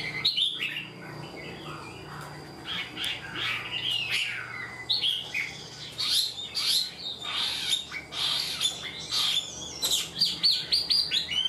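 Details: Untrained captive Chinese hwamei singing eagerly and in full, like a tame bird: bursts of bright whistled notes and rapid chattering trills, pausing briefly between phrases, the phrases growing louder and denser toward the end over low room hum.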